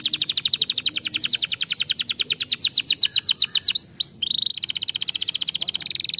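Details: Singing canary used to stimulate reluctant singers: a long fast trill that slowly shifts pitch, two upward-sweeping whistles, then a lower steady rattle-like roll.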